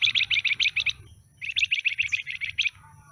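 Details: Caged pied fantail with a stubby tail, recently taken from a trader's batch: two loud runs of rapid, high, sharp notes, six or seven per run, with only a brief pause between them.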